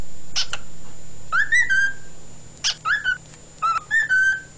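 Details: A male pet cockatiel singing indoors, recorded 16 February 2011: short clear whistled phrases around the middle pitch range, a brief high chirp followed by smooth level and gently rising whistles, with a steady low hum behind.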